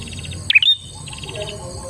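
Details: One loud, sharp chirped phrase from a bar-winged prinia, used to lure other prinias, with a quick downslur and a short whistle; soft rapid buzzy trills are heard just before and after it.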